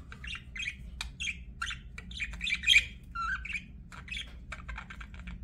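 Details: Budgerigar giving separate short chirps and squeaks, a few per second, with one louder harsh burst midway, then a run of rapid clicky notes near the end; low hum behind.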